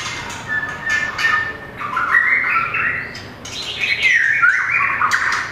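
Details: Small, very long-tailed white-rumped shama singing competitively while flicking its tail and running along perches: varied whistled phrases rising and falling between mid and high pitch, mixed with harsh scratchy bursts.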